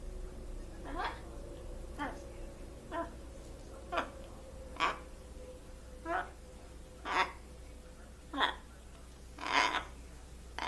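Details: Trained blue-and-gold macaw kept as a pet, uttering a series of short sharp syllables roughly once a second, growing louder toward the end, over a faint steady tone and low hum.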